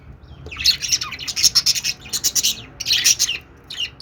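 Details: Budgerigars singing: a stream of high chirps, squawky warbles and short clicking notes in quick bursts, pausing briefly before a final rush of chatter.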